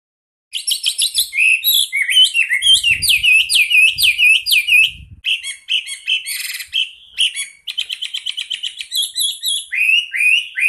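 Chinese hwamei in loud, continuous song: rapid rich whistles and slurred notes, varied phrases repeated in quick bursts, with buzzy and rattling notes mixed in.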